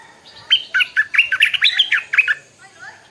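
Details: Stripe-throated bulbul singing in the morning: a lively, bubbling phrase of rapid warbled notes, rising and falling, lasting about two seconds before fading into quiet.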